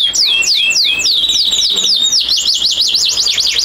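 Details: Male canary kept for breeding, singing to rouse a female in breeding condition; sharp descending whistles give way to a steady held tone, then a fast zigzag trill of up-and-down notes.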